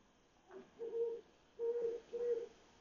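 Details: At 1:00 am on 27 July 2021, an owl calls from an electric pole in the Mount Washington, Cypress Park and Glassell Park area; a soft lead-in note, then three low, level hoots spaced roughly half a second apart.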